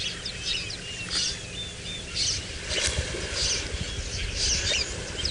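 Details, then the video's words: At sunrise on 28 December 2017 in Djuma Game Reserve, Sabi Sand, South Africa, red-billed buffalo weavers call from a tree by water with hippos: scattered high chirps and short whistles every second or so, over engine rumble and distant voices. "And we've got some wonderful red-billed buffalo weavers that are calling up in the tree there."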